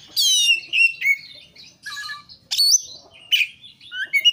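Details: Oriental magpie-robin (kacer) song meant to make other kacer sing: a loud downslurred whistle, then scratchy warbles, a sudden high upward note and further mixed whistles in bursts.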